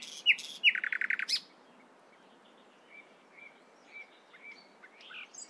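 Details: Nightingale singing in the morning: a sharp whistled note, then a fast burst of about eight repeated chirps, followed by soft, level whistles spaced roughly half a second apart.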